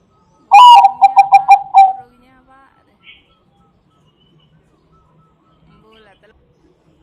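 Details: Bangkok-type zebra dove song, a lure for other doves: a strong rolling first coo, then a fast run of short staccato notes ending in a drawn-out soft note, followed by near silence with faint scattered sounds.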